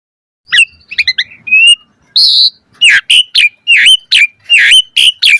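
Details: ["Asian pied starling in full 'mompa' variation song: after a brief silence, a flurry of small chirps, a harsh buzzy note, then a regular series of loud, emphatic whistled notes roughly every half second."]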